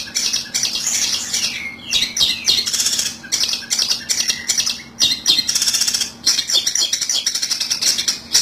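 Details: Long-tailed shrike trapping lure: loud, scratchy, squawking bursts in quick clusters separated by short gaps, with a low background hum.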